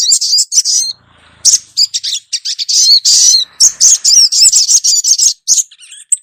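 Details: Female ruby-cheeked sunbird calling the male: loud, dense bursts of high, thin chirps and twittering notes, rapidly repeated with short gaps, forming a nearly continuous excited chatter.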